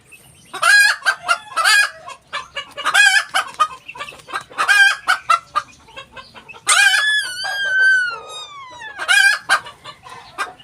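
A Ko Shamo hen gives loud, harsh, nasal squawks in bursts about once a second, with one long, drawn-out call that falls in pitch near the end.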